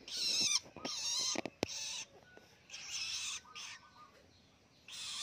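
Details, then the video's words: Captive young long-tailed shrike, recently weaned and learning to sing: loud rasping, buzzy bursts of about half a second separated by short pauses, with a sharp click between them and otherwise quiet surroundings. "ANAKAN PENTET SUDAH MANDIRI ‼️ BELAJAR NGELOLO"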